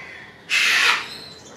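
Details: ['Sulphur-crested cockatoo (Cacatua galerita) producing one abrupt, harsh, rasping screech lasting about half a second, ending in a fading tail.']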